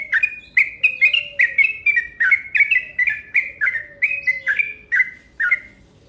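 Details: Yellow-vented bulbul rolling lure call: a steady stream of bubbly, slurred chirps, about two per second for six seconds, over a faint low hum.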